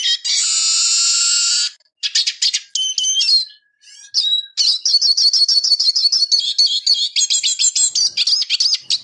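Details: Eurasian siskin song: it opens with a long, harsh, wheezy buzz, followed by scattered twitters and a short pause. A lively, rapidly repeated high trill of sweet chirps runs to the end.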